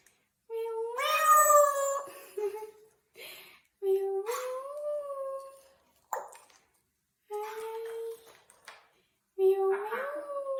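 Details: Indoor pet Congo African grey parrot playing happily; a series of loud rising whistles with rich harmonics, some swooping upward, separated by short pauses and brief clicks over about ten seconds.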